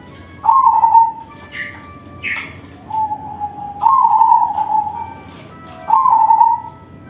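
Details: Crossbred zebra dove singing with a big voice, used as a lure for other doves: three rolling, trilled coo phrases at a steady mid pitch, each about a second long, with two brief higher chirps between the first two.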